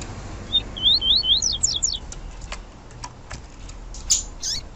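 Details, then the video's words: Female yellow-bellied seedeater from domestic breeding, whose call is played to stir up males: a rapid run of thin upslurred whistles stepping upward in pitch, followed by scattered faint clicks and a sharp chirp. "Piado de Fêmea de Papa capim Para Esquentar Papacapim"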